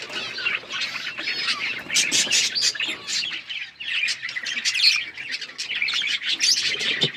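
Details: A group of pet budgerigars keeps up dense chirping chatter, mixing short sharp tweets, grating squawks and warbled phrases from many birds at once, with brief dips in loudness.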